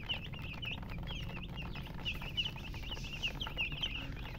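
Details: A brood of chicks peeping loudly, high piercing chirps repeated rapidly and overlapping, some notes sharply rising then falling, clear over a soft low rumble.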